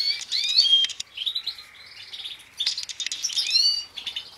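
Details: Captive-bred European goldfinch of the Major type, from a mutation breeding season in 2016, gives fast liquid twittering with rising and falling chirps in short bursts separated by brief pauses.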